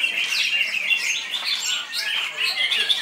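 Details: Greater green leafbird singing loudly in captivity, a dense continuous stream of high twittering, slurred whistles and quick warbled notes without pause.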